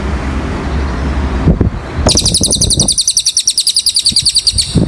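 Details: Cililin singing a masteran tutor song: a fast string of thin, high, chipping notes repeated about three seconds over a steady low traffic rumble, with soft thumps near the start and end.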